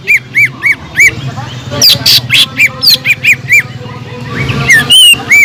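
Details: Captive Sumatran leafbird in lively song used to rouse other leafbirds lacking fighting spirit: fast repeated rising-falling whistled notes, several per second, mixed with sharp high chirps and squawks, faint background voices.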